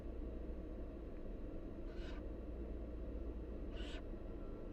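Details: Wild barn owl nestlings begging while their mother feeds them: two breathy, rasping hisses about two seconds apart over a steady low rumbling hum.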